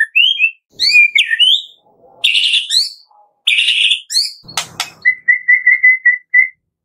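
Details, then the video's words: White-rumped shama song used as a prompt for caged birds: loud rich whistled and buzzy phrases, a sharp click, then a tidy series of short flat whistles repeated about twice a second. "Pancingan Murai Batu Pagi - Sore Hari"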